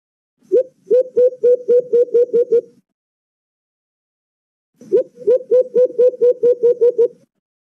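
White-eared Brown Dove giving two bursts of about ten quick, mellow hoots on one pitch, each burst lasting a little over two seconds, with silence between.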